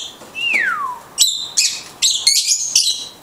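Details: Blue-headed conure talking: a smooth whistle sliding downward, then a string of harsh, raspy chattering bursts with bright overtones, broken by short pauses.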